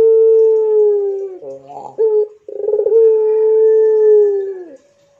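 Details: Two long drawn coos from a Barbary dove in pelung style. Each has a long level hum, with a short broken note and a fluttering roll between them, and a soft trailing note at the end.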